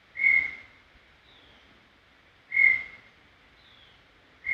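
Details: Single clear whistles of a brown tinamou, Serra do Brigadeiro State Park, spaced roughly two and a half seconds apart, each short and steady with a soft trailing echo over quiet background.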